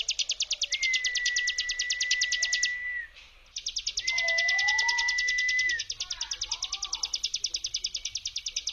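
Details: Mountain prinia brem song used as a lure to stir silent birds into singing: a fast, even buzzy trill of rapid pulses, high-pitched and sustained, broken by a steady whistled tone and lower wavering notes.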